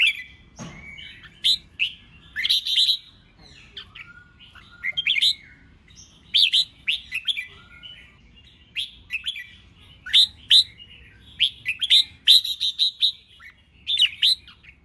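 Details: Red-whiskered bulbul singing for contest training, a steady run of quick whistled and chattering phrases filling nearly fifteen seconds, loud clustered bursts with brief pauses, and a faint click near the start.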